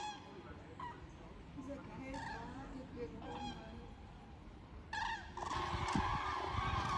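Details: Common cranes flying south in large flocks over the Wetterau near Bad Nauheim on 22 October 2022, giving scattered rolling trumpet calls from a migrating flock, followed by a loud rushing noise burst in the second half.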